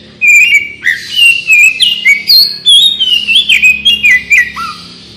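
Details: Oriental magpie-robin song meant to draw a quick response from other birds: loud, varied whistles delivered in quick successive phrases, with rising and falling slurs and clipped notes, nearly continuous for five seconds.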